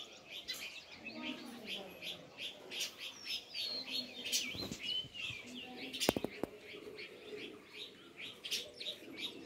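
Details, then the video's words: Chorus of sparrow chirps, continuous bright twittering with quick slurred notes, several sharp clicks around the middle, steady outdoor background. "Sparrow (Birds) Chirping Sound"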